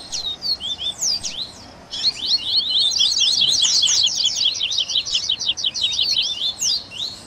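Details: Baderna of double-collared seedeater song, meant to warm up and train caged birds, mixing tui tui, grego, viviti, flauteado and third-note styles: scattered high chirps, then a long rapid run of crisp, rising and falling notes.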